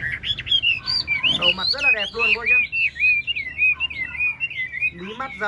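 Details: Chinese hwamei kept as a cage bird, singing rich looping whistles that rise and fall in quick succession, with a brief stretch of speech mixed in.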